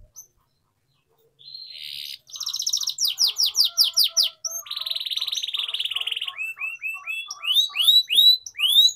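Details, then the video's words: Canary singing for training young birds: a buzzy trill, rapid falling whistles, a long dense rattle, then repeated upward-curving sweet notes. "Canary Singing Training || Kenari Gacor Panjang Cuit Cuit Emosi, Pancingan Kenari Paud Belajar Bunyi"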